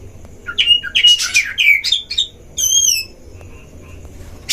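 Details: Oriental magpie-robin (kacer) lure song at a breeding cage, meant to provoke other magpie-robins: a quick run of whistled slurs and scratchy notes, then a bright wavering whistle, a soft trailing note and a final harsh burst.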